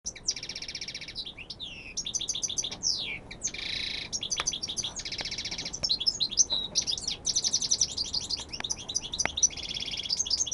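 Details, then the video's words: European goldfinch from Almería, Spain, singing a fast, continuous twittering song of tinkling trills, buzzy notes and sweeping chirps, all high-pitched, with brief pauses; no other clear sounds. "jilguerazo almeria"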